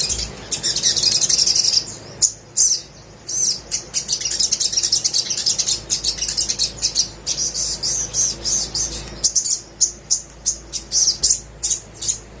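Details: Little spiderhunter (sogok ontong) in full song, used as a lure to get quiet birds singing: dense runs of sharp, very high chips, first in a fast continuous burst, then in separated bursts after a short pause.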